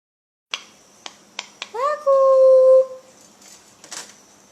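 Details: Pet cockatoo in Indonesia that speaks like a human: a few sharp clicks, then a drawn-out, smooth, voice-like syllable lasting nearly a second, followed by a short rustle, in a quiet indoor room.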